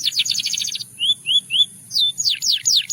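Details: Singing Russian canary, meant to seduce other canaries: a quick high trill, three soft rising whistles, then sharp falling sweeps.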